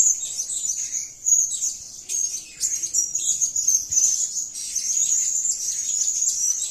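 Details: Blue-crowned hanging parrot, known locally as serindit, calling actively: a thin, very high, continuous shrill chatter held at a steady pitch, broken by brief gaps and sharp clicks, with no other clear sounds.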